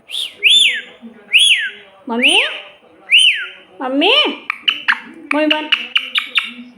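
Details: Pet parrot imitating a cat's meow: arched, harmonic meow-like calls about once a second, then rising drawn-out wails and a quick run of short chirps. Faint speech-like sounds in the background.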